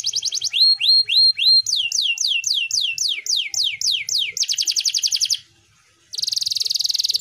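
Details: Canary in active, full-throated song, played to prompt silent canaries to sing again: sharp rising whistled notes, then fast sweeping trills of repeated syllables, a rapid buzzy roll, a brief pause and another dense high roll.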